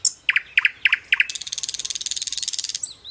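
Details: Nightingale sings paired sharp notes four times, then a long rapid rattling trill of dozens of pulses, and ends with a thin upward whistle.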